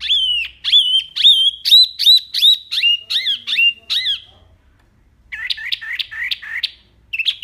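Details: Clear, loud wambi song from a master recording for training cage birds: a steady run of sharp, down-slurred whistled notes, a short gap, then a faster burst of scratchy chirps.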